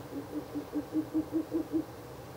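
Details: Soft hoots from a Ural owl at its nest box on the night of 16 April 2024, third night of visits: around nine quick, even low notes in just over two seconds.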